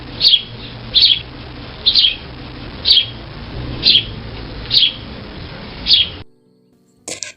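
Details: A sparrow in winter gives seven bright, high chirps, about one every second, before a brief click and silence.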